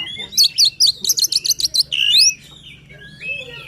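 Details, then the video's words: White-rumped shama singing emotionally, suited to stimulating a quiet bird: a fast series of about ten sharp repeated notes, then a rising slurred whistle and softer trailing phrases. "Kacer Gacor Full Emosi, cocok untuk mendongkrak Kacer yang malas bunyi."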